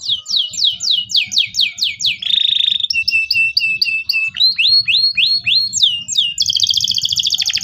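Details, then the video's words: Local canary (kenari lokal) in full, vigorous 'cuit cuit' song, meant to prompt young canaries to learn singing: rapid repeated down-slurred high whistles, then a buzzy steady note, a run of rising chirps and a fast rattling trill at the end. "KENARI LOKAL GACOR CUIT CUIT EMOSI, PANCINGAN LENARI PAUD AJAR BUNYI"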